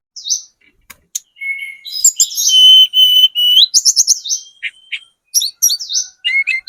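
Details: Lure song of a spotted Sunda robin to provoke answers from other birds: scattered clicks, then a dense run of sharp whistles and stuttering trills, ending in short chirps separated by pauses.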